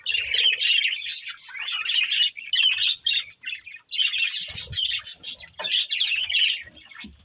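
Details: Breeding pair of budgerigars kept as pets chattering continuously, a dense mix of rapid high warbles, squeaky chirps and short scratchy notes in overlapping bursts, with brief pauses around two and four seconds and faint low thumps.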